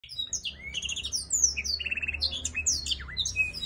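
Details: Black-throated laughingthrush singing and displaying, a showy kept bird: fast, varied run of clear whistles, slurred high notes and short rattling trills, densely packed and bright, with a faint low hum beneath.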